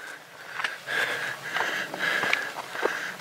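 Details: Heavy breathing, sniffing and rustling close to the microphone, probably a walker outdoors, with no animal calls.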